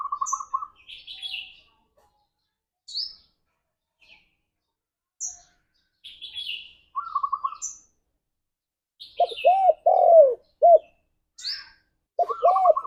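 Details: Spotted dove song meant for pet doves to hear daily. Rapid buzzy trills and high chirps of other birds fill the first part, then deep arched dove coos sound twice near the end.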